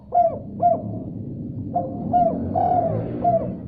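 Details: Spotted dove cooing in reply after hearing another call: paired soft coos, then a phrase with a longer drawn coo followed by a short final note, over a low hum.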